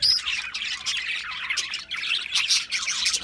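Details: Budgerigar flock giving busy, grating squawks and rapid chirps, opening with a clear whistled note, the babble rising and falling steadily.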